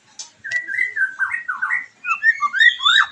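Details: White-rumped shama song to provoke a freshly moulted bird and raise its mating drive: a continuous string of mellow slurred whistles, rising toward higher, sharper upsweeps at the end.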